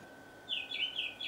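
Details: A song thrush sings at dusk: a quick run of four clear, high notes, each slurring downward, repeated about three times a second, over a faint steady hum.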